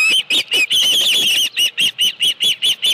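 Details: An osprey at a ranch nest with a live fish, 25 July 2018, calls in a high, run-together whistling chatter, then switches to evenly spaced single chirps about four per second.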